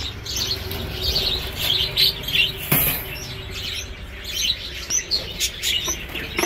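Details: A busy chorus of breeding budgerigars, laying again as the chicks leave the nest, giving quick, high chirps and warbled chatter, overlapping almost constantly, with occasional wing flutters over a low background hum.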